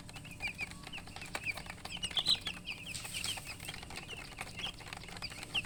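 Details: Newly born chickens chirping, scattered high peeps, a couple louder and sharper, amid steady rustling and tapping sounds.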